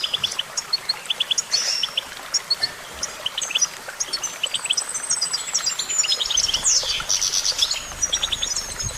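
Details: Goldfinch singing a lively, continuous twitter of quick, high, liquid notes and chirps, broken by long, thin, buzzy trills sliding slightly downward in the middle. Soft environmental hiss sits behind it.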